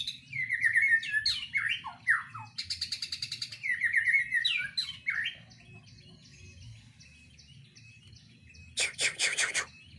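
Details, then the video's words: White-rumped shama kept in a breeding cage delivers slurred downward whistles and a fast rattling trill, then a quieter pause and a final harsh buzzy burst, with steady low hum behind. "Suara Murai batu di KANDANG Ternak Full isian"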